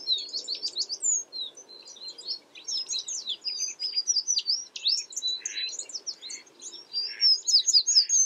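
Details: Tinkling American tree sparrow calls: repeated high chirps and short trills in clusters over eight seconds, with a few softer buzzy notes mixed in and faint low background noise.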